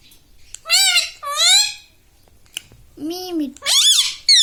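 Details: Pet parrot speaking learned words in a high, childlike voice; two drawn-out arched syllables, a pause, then two more ending in a rising squeal.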